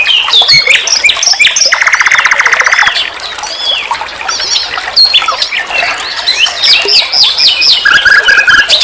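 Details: Sikatan londo, the nightingale, on a master recording used to tutor songbirds: a fast jumble of sharp chirps and slurred whistles, a buzzy rattle of rapid repeated notes about a second long, then more varied high phrases.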